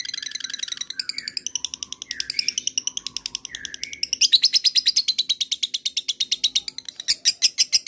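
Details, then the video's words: Lovebird in extended trilling to stir other lovebirds into answering: quick repeated shrill chirps mixed with a few lower squeaky notes, building to a louder steady rattle near the end. "masteran pancingan suara LOVEBIRD ini. LOVEBIRD mu akan segera nyaut dan ngekek panjang"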